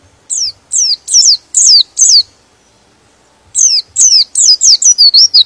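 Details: White-eye song meant to agitate other white-eyes into singing: sharp, high downslurred whistled notes in two quick bursts, about five notes each, separated by a second-long pause.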